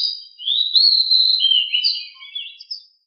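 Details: Decu, the pied bushchat, in a lively rolling ngeroll song: one unbroken run of quick, shrill, chattering notes that rise and fall, fading away near the end, against a silent background.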